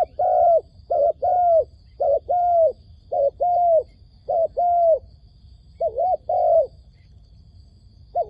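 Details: Trap decoy dove cooing to attract wild doves: paired hollow coos, a clipped note then a drawn-out one, repeated about once per second with uneven gaps; no other clear sounds.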